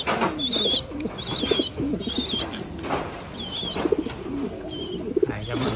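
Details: A red-brown American giant pigeon squab, already learning to eat but still begging its parents to feed it, gives thin, high squeaky peeps in short repeated bursts over soft low cooing in a large cage, while a man talks.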